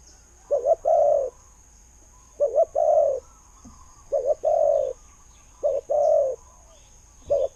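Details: Decoy spotted dove with a fine voice repeats its low coo phrase four times, each a quick two-part lead-in followed by a drawn-out hollow coo, with a faint background hum.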